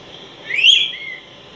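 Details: Araripe manakin, critically endangered in Brazil, giving one loud whistled note that sweeps sharply upward with a rich harmonic edge, then trails off into a fainter lower whistle.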